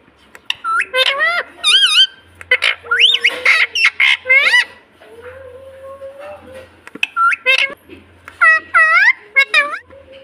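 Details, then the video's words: Pet ring-necked parakeet in India talking and saying "mummy": bright, harmonic, speech-like syllables with rising and falling squeaky tones, short bursts separated by pauses, a few harsher squawks, and a faint low hum underneath. "Mummy Papa Bolne Vala Parrot 🦜 Talking mummy papa in India parrot 🦜"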